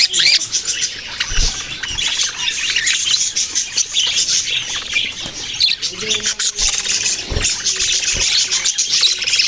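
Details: Budgerigars chirping: a dense, continuous high chatter of overlapping twittering and squeaky notes, with occasional soft low thumps.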